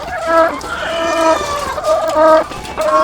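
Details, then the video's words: Egg-laying hens on a farm with thousands of birds: clear, tonal, drawn-out calls stand out, each held about half a second and repeated several times, over a background murmur of the large flock. "The Sound of Thousands of Egg-Laying Chickens"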